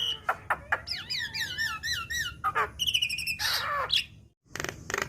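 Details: Black-winged myna youngster, recorded for training: a chain of wavering, undulating whistles, followed by a harsh buzzy stretch mixed with steady whistles, a brief silence, and a final scratchy burst.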